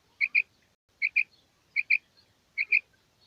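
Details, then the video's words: Female quail calling in the morning: a clean, high double note, two quick clipped chirps close together, repeated about every 0.8 seconds in a steady series over a quiet background. "Female Batair Calling 2020 | Female Quail Sounds | Mix Calling| Maadi Batair Ki Awaz Suba ki liye"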